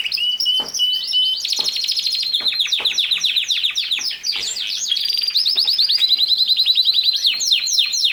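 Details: Canary in full song, pouring out an unbroken stream of rapid high trills, fast chattering notes and short downward sweeps, the rhythm shifting between rolls and quick repeated chips.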